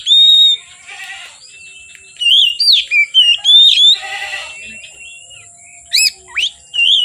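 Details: Oriental magpie-robin song late in the day into night, loud clear whistles and slurred notes in separated groups, mixed with brief rustling noise, over a continuous high-pitched hum.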